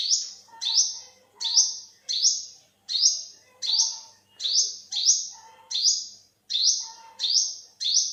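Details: Olive-backed sunbird, also called yellow-bellied sunbird, giving a high, sharp, slightly descending note about twelve times in eight seconds, each note quickly following the last, with a faint lower accent under each note.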